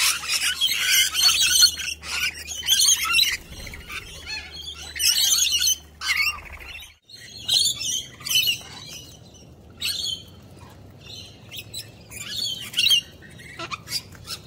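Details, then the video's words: Wild sulphur-crested cockatoos in Australia, tame parrots visiting people for food; rasping squawks and chattering bursts come in irregular clusters, separated by quieter gaps, with a low steady hum in the background early on. "Wild Cockatoos are just WILD PETS!!!"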